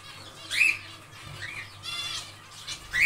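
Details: Zebra finches in an aviary while nest building, calling repeatedly with short, nasal, trumpet-like beeps, several in three seconds, against light rustling.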